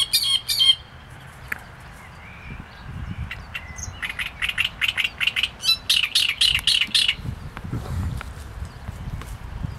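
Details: Long rapid series of harsh, chattering syllables from a great reed warbler, rising into a dense grating stretch before fading.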